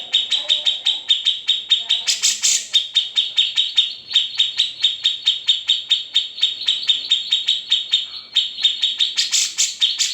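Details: Unedited master recording of a grey-cheeked bulbul for training other songbirds: sustained rapid high-pitched pulsed notes, almost four each second, with brief sharper buzzy flourishes around two seconds and again near the end.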